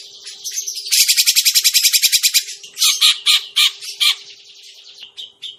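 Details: Grey-cheeked bulbul call used as a bird-trapping lure: soft buzzy notes build into a loud run of fast, harsh chattering pulses for about a second and a half, followed by separate rasping calls spaced under a second apart, with a faint constant hum.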